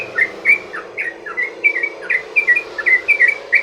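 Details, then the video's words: Sooty-headed bulbul long rolling song used to get other bulbuls to answer: lively chirps in quick pairs and triplets, some dropping, some rising, steady and bright throughout. "trucukan ROPEL PANJANG buat pancingan burung trucukan agar bunyi jadikan trucukan gacor NYAUT"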